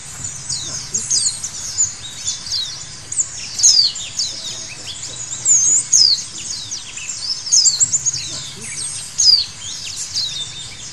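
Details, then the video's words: Continuous bright chatter of white-eye song meant to make birds sing vigorously: quick high chirps, twitters and piercing slurred whistles in irregular clustered bursts, rising and falling in loudness, with a soft low hum beneath. "Terapi Pleci Segala Kondisi Bikin Gacor"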